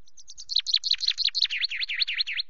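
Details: Male-plumage unknown chaffinch perched on a nest-camera perch at Loch Garten, 24 May, about 17:02, preening and singing. Quick high notes accelerate into a trill of steeply dropping chirps, finishing with even, repeated V-shaped notes.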